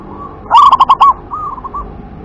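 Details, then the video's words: Local zebra dove delivers one strong WER-KE-TE-PEK phrase of five fast, bubbly coo notes, then quieter trailing coos. "suara perkutut lokal WER-KE-TE-PEK"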